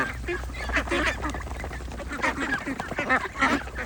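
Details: Several ducks with ducklings calling, bursts of raspy quacks with brief pauses between clusters, low hum underneath.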